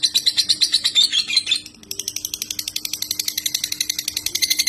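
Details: Clear competition song of a white-rumped shama (murai batu) master recording with tembakan: a bright whistled run, a short pause, then a long fast mechanical-sounding rattle of sharp high notes, low hum throughout.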